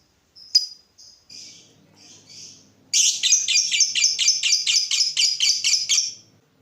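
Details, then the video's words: A lovebird sings a lure song meant to fire up other lovebirds; it is called chattering and fit for song tutoring. A few short, separate chirps lead into a fast, even run of buzzy, repeated chattering notes, about two per second. "Pancingan lovebird terbaik bikin lovebird anda panas"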